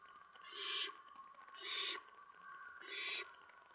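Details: Owlets in the nest at night, 10 September 2017, as adults bring mice and a rat. Three drawn-out screechy hisses, each about a third of a second, repeat roughly every 1.2 seconds.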